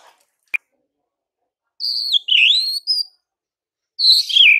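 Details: White-rumped shama morning song, used to draw an immediate reply from rival males. After a sharp click, high clear whistles slide and waver, followed by a short silence and one more bright, falling whistled phrase.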